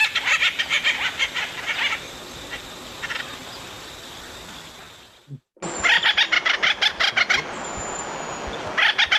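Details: Acorn woodpecker recording played back during an online birdwatchers' meeting about Santa Barbara County woodpeckers: rapid rhythmic series of harsh, chattering notes in bursts, a short gap, then a louder run of repeated calls.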